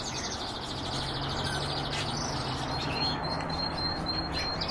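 European bee-eater giving rapid, rolling high notes, then a thin sustained tone, against steady wind-like rushing and a low hum.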